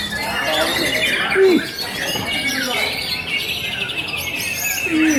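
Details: White-rumped shama at a bird club's 25th anniversary event, singing with small-bird imitation material: loud whistled notes, downward-sweeping phrases and high chattering trills overlapping, with other birds and voices in the background.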